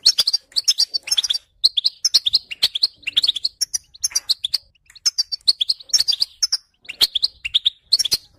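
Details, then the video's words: European goldfinch in continuous song, a fast, bubbling stream of bright chirps, liquid twitters and brief rattles that run on almost without pause against a quiet background. "Goldfinch frequencies to stimulate songbirds"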